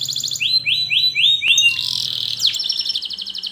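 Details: Canary song meant for training young birds to sing: a row of five quick rising slurs about four per second, then a bright buzzy tour and a fast rolling trill, with a faint low hum beneath.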